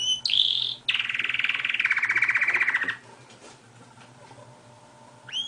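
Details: Domestic canary singing: a high whistled note leads into a long, rapid, buzzy rolling trill that slowly drops in pitch over two seconds, then a quiet pause with faint room noise before another whistle begins.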